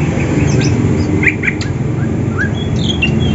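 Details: Greater green leafbirds of Banyuwangi and Sumatran origin calling in the morning while seeking a rival before a song competition; scattered sharp chirps and short upslurred whistles with pauses, over heavy low rumbling background noise.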